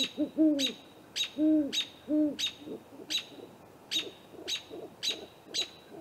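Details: At night on April 21, a great horned owl pair checks out a great gray owl's snag nest on a live camera. Low hoots swell in the opening seconds, then fade, while sharp high chirps tick regularly throughout.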